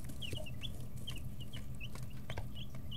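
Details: Chicks 11 to 13 days old in a brooder make clear, high, slurred peeps every fraction of a second, interspersed with sharp pecking taps over a steady low hum.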